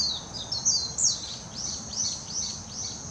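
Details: Warbling white-eye singing at Hashimoto, Wakayama Prefecture, Japan, on 26 June 2021, filmed with a Nikon Coolpix P900: a continuous, very high warble of quick downslurred chirps and twittering notes over a steady thin high hum.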